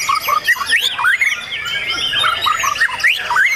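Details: White-rumped shama singing at a songbird competition at Pondok Cabe, Indonesia, on 9 April 2023, its first contest after moulting: loud, clear whistled phrases, rising and falling quickly, with slurred notes repeated in bursts over a busy background of other birds.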